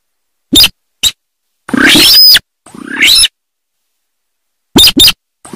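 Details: Sawah sintar uttering clipped harsh notes and two longer grating, rising rasps, followed after a silence by a quick pair of sharp calls.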